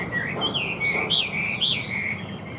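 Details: Chinese hwamei in a cage, a bird offered for sale and said to sing well and evenly, gives a continuous loud melodic whistle that swoops up and down in smooth wavering loops.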